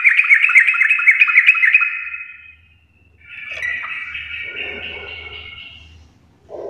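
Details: Full garuda style song from an actively singing yellow-vented bulbul (trucuk): a fast run of loud, evenly repeated chattering notes for two seconds, then a softer, rambling warble after a brief pause.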